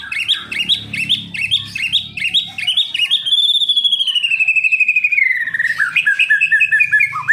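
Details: Kept Medan white-rumped shama, said to refuse to imitate, sings quick repeated chopped phrases, then one long clear whistle that slowly falls in pitch, followed by rapid rising and falling notes.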